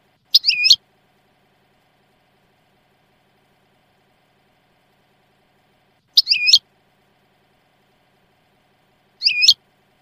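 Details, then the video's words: European goldfinch singing, a performance described as flawless: three brief, high, twisting chirped phrases, well spaced and separated by long silences. "تغريد حسون في غاية الجمال بدون اخطاء"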